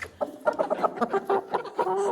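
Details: Four-month-old Ameraucana hens calling very loudly, as hens do before laying their first egg: a rapid string of short, nasal clucks, then a drawn-out, even, tonal note.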